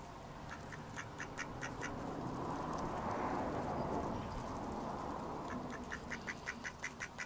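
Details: Mallards recorded in May 2014: quick runs of clipped quacks at the start and end, interrupted by a swelling broadband rushing noise in the middle.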